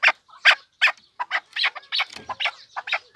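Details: Chukar partridge of the Pamir giving a few loud, widely spaced harsh notes, then a quicker run of rasping chuk calls with a brief low rustle.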